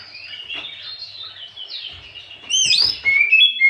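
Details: Afternoon song of an Oriental magpie-robin, used as a lure to provoke other birds. Continuous high warbling swells into loud, sharp whistled sweeps in the final second.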